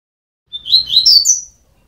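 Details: Double-collared seedeater nestlings, twelve days old, making a burst of high, thin, squeaky chirps that tumble together for about a second and rise toward the end. Otherwise silent surroundings.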